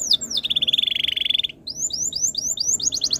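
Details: Canary tutor song for prompting other canaries: two downslurred whistles, a fast slightly falling trill lasting about a second, then a series of quick rising chirps repeated at an accelerating pace.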